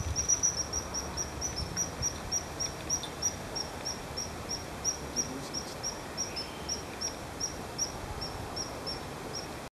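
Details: A common kingfisher on 12 February 2012 gives a long run of thin, shrill high 'tsee' notes, about three a second, over steady rushing water.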